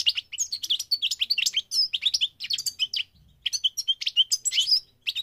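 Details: Migrating goldfinch in song: a fast, dense stream of high, sharp twittering chirps and short trills, briefly pausing near the middle before resuming, with a clean, quiet background.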